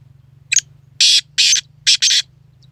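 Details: Black francolin giving a harsh, rasping call: a short scratchy note, then three loud grating bursts in quick succession, over a low steady hum.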